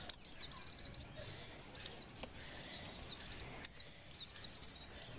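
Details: Female Oriental white-eye in breeding condition, calling to stimulate lazy males: frequent high, thin, falling chirps in clustered runs over a noticeable background hiss.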